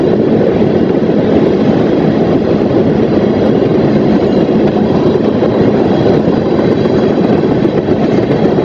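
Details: Continuous roar of rail cars and engine, a dense low mechanical rumble with faint clatter and no animal voices.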